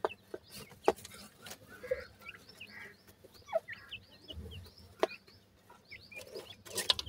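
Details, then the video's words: Several Sindhi teetar (francolin) chicks give high, brief rising cheeps in loose runs, with scattered sharp knocks and clicks between the calls. "top sindhi teetar bird k chicks,top pheasant chicks voice"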